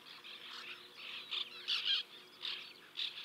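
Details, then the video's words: White-winged terns at their nesting colony in 2021 give loud, rasping calls in irregular bursts, a few louder notes standing out against a quiet background. "In a colony of white winged terns"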